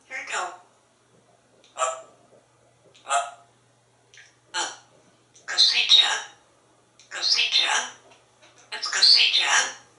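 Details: Pet African grey parrot in a Texas home imitating other animals, a series of short raspy bursts repeated roughly every one to two seconds, growing louder and noisier toward the end, in a quiet room.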